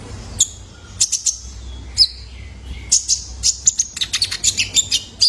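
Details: Young male ruby-cheeked sunbird in captivity, used for training cage birds: scattered, very high, sharp chips that grow denser toward the end into a rapid twittering sequence.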